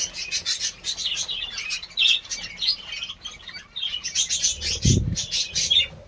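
Budgerigars chatter with rapid, scratchy warbles and chirps, nearly continuous and high-pitched.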